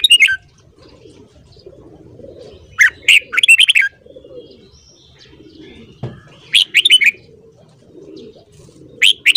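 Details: Morning training song of a red-whiskered bulbul: lively phrases of sharp warbled notes recur every few seconds, with soft mid-pitched murmuring and a brief knock in the background.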